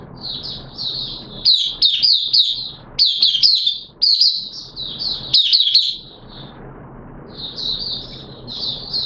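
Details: Pet oriental white-eye singing its opening song in wet weather, September 2022: soft high twitters building to loud, rapid chirping bursts, then a quiet pause and renewed faint twittering over low hum.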